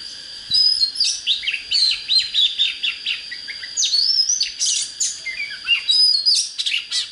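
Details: Singing Oriental magpie-robin, a song for fighting and firing up birds: rapid, continuous warbling of sweet whistled notes, sharp downslurs and chirps in fast succession, with a steady high whine underneath.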